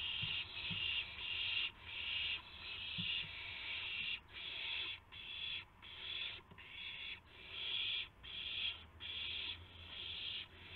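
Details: Early-morning owl sounds, March 26, 2016, 5:50–5:51 AM, with a gopher and a mouse delivered as prey; repeated noisy hissing screeches, short breathy bursts around every three-quarters of a second, continuing throughout.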